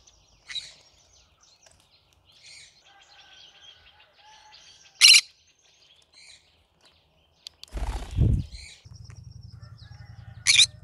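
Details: Cinnamon green-cheeked conure singing: scattered harsh squawks and softer chatter over about eleven seconds, with a low thudding noise and a steady low hum toward the end.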